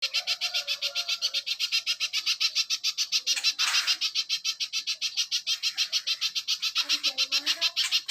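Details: Little spiderhunter, a training recording for songbirds, giving a rapid run of sharp high notes repeated about three and a half times per second, steady and continuous, with a brief louder burst near the middle.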